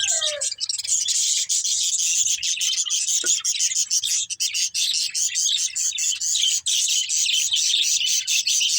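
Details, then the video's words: Budgerigars chirp while eating green food, an unbroken, rapid, high-pitched chatter of warbling notes lasting throughout, with one brief lower falling note near the start. "Beautiful Budgies Enjoying Eating Green Food | Love Birds Chirping Sounds"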